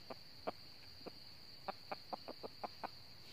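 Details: Red junglefowl in northern Vietnam near a trap set with a decoy bird: a series of short, sharp clucks, about ten spaced unevenly over three seconds, over a steady high insect hum.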